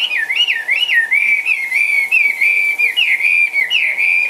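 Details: Caged Chinese hwamei, a bird for sale, hopping and dancing as it sings a loud, continuous warbled whistle that swoops up and down in quick rolling waves without pause, over a faint steady hum.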